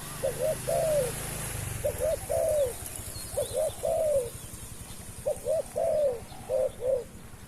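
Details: Decoy spotted dove calling for wild doves. Mellow low coos in repeated phrases: a short double note and a longer falling coo, several in a row. A low rumble at the start and steady high hiss throughout.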